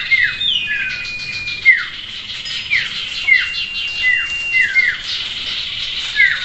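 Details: Common iora (sirtu) during a mock song-contest training session; sharp downslurred whistles repeated roughly every half to one second, over a constant wash of high chatter from other birds.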